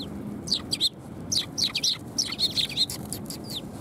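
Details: Sparrows gathering to be fed at a Tenmangu shrine, 18 December 2020, give a busy run of sharp, high chirps, some rising and falling, crowded closely together and overlapping, with faint low background hum.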